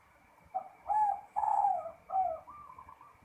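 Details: Zebra dove in full ngerot song: three or four mellow, bending coo notes in quick succession, ending in a soft rolling trill over a faint constant hum.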